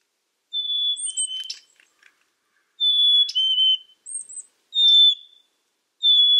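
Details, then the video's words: Black-capped chickadee repeating its two-note whistle several times, high note then lower note, mixed with thin, very high chirps and brief clicking sounds. "Black Capped Chickadee Bird Sound, Bird Song"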